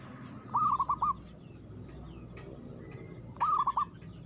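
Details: Zebra dove of local stock in vigorous, aggressive song, giving two short rolling, bubbling coo phrases about three seconds apart over a steady background murmur.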